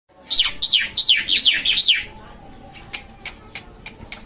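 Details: Black-winged myna in energetic, lively song: five loud, arched, slurred whistled phrases in quick succession over two seconds, then quieter scattered clicks and short ticks.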